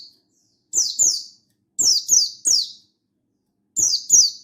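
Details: Calling to a rival, a mountain white-eye recorded 16/8/22 gives a pair, a triplet and another pair of high, sharply falling chirps in quick succession, against a silent background.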